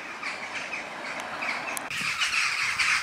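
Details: Large flock of western jackdaws flying at sunset on 11 October 2015 before roosting in trees near Houtwijk shopping centre, The Hague, Netherlands: many short, squawky 'chak' calls overlap in a continuous clamor over soft outdoor hiss.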